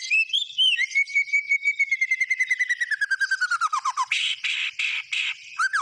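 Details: White-rumped shama song: a long, gradually falling whistle over rapidly repeated pulses, followed by harsh rasping bursts and a last slurred note.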